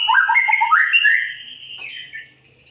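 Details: White-rumped shama, murai pastol type, singing to provoke other birds: a quick burst of bubbling, rising whistled notes that fades into a softer, thinner trailing phrase.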